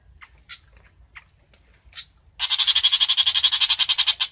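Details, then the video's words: Long-tailed shrike calling the flock: a few short, scattered chips, then a sudden sustained grating rasp of rapid, evenly repeated pulses that runs to the end. "Chim Bách Thanh (Chàng Làng) hót gọi bầy"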